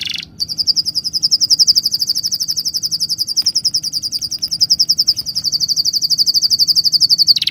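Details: Bird chirping: a fast, steady high-pitched trill of rapid pulses runs almost unbroken for about seven seconds after a brief opening note, with a faint low hum beneath.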